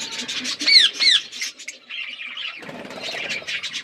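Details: Parrots chirping while feeding, sharp downward-sweeping squawks and quick chirps early, then a busier tangle of overlapping chatter with some lower rustling noise.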